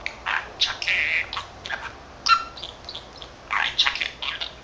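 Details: A 13-month-old male budgerigar kept as a pet, which speaks Korean and Japanese words, chatters on his own in fast buzzy syllables with one brief whistled note, delivered in short clustered bursts.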